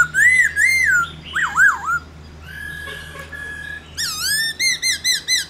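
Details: Black-throated laughingthrush performing réo song to spur other laughingthrushes: arched whistles, a softer warbled stretch over a steady low hum, then a rapid burst of rich ringing notes.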